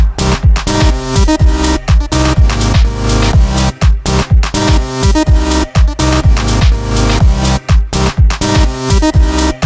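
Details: Loud electronic dance music with a pounding, regular bass beat and layered synthesizer tones; no animal voice is heard.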